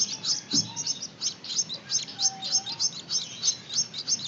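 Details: Gouldian finch chicks being hand-fed utter quick, squeaky high chirps, some slightly buzzy, in a rapid pulsing series of about three per second.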